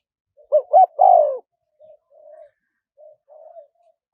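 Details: Spotted dove, small-voiced kharom pa style for attracting wild doves: a soft lead-in note, two brief arched coos and a long falling coo, then several faint, low murmured coos trailing off.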